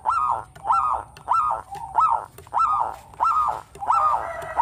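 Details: Zebra dove of local stock singing steadily, recommended as a lure to draw or stimulate other birds. Rounded, trilled coos repeated roughly every half second in an even rhythm, over a constant thin high-pitched tone.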